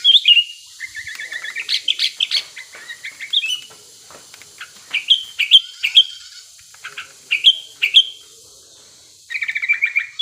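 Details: Lure song of a wild male sooty-headed bulbul in breeding condition, used to make other bulbuls sing quickly. Sharp whistled notes, each dropping in pitch, come every second or so over a faint hiss, with a short burst of chatter at the end.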